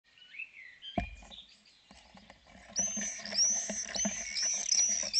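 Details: Common swifts at a breeding colony in Spiez, reunited: after a quieter start with clattering thumps, thin high screaming trills swell from about three seconds, overlapping continuously above rustling and knocking noise.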